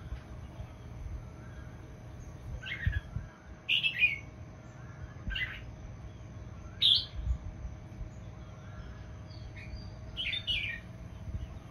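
A red-whiskered bulbul gives short, bright, warbled phrases every one to two seconds over a low steady rumble.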